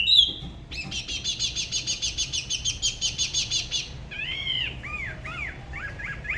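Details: Spot-throated babbler of La Ba river, Da Lat, singing solo with a style unlike other regions: a sharp whistle opens a long rapid buzzy trill lasting about three seconds, followed by several looping, arched whistled notes.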